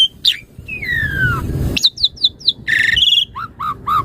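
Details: Asian pied starling (jalak suren) master song for training birds: a clear note, a long falling whistle, a noisy rustle, then quick descending chirps, a harsh rich note and three low whistles.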